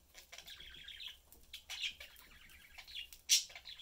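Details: Budgerigar family of three pet birds chatting while eating indoors; rapid warbled chatter with buzzy pulsed notes and a sharp loud chirp near the end.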